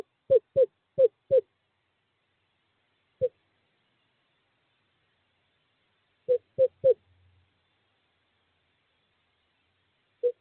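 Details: Male screech owl at owl box 5, calling to a female during courting season on 2/11/2023: softer, scattered short descending hoots, grouped in bursts of four and three with long silent gaps between.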